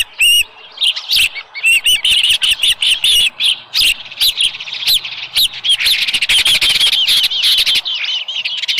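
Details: Osprey nest, morning of 13 July 2018, a small live fish brought in. Piercing whistled cheeps follow in quick succession for several seconds, each slurred and emphatic, with brief gaps and some clattering.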